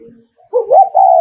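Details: Spotted dove from Nghệ An, a decoy bird giving its 'thúc gù' provoking coo meant to stir and lure rival males: a soft low note, then a loud, mellow, slightly rising two-part coo held for about half a second.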